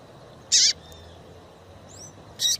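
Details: Female double-collared seedeater calling repeatedly, a call used to stimulate song in a male that has gone quiet. Two short, harsh, buzzy bursts sound about two seconds apart, with faint thin whistles between them.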